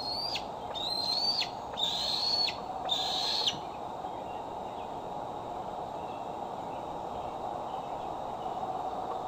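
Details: Bald eagle at dusk in Decorah, 12 July 2011, a female newly fitted with a transmitter returning to her branch: four shrill whistled calls about a second apart, each bending slightly upward, then several seconds of quiet with steady hiss.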